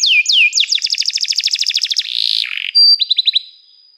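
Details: Canary song opening with downward-sweeping whistles, then a rapid rattling trill of bright chirps, a buzzy burst, and a short final run of clipped high notes.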